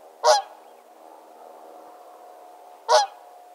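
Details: A whooper swan (Cygnus cygnus) calls, giving two loud, bugling honks about two and a half seconds apart, with a faint steady hum between them.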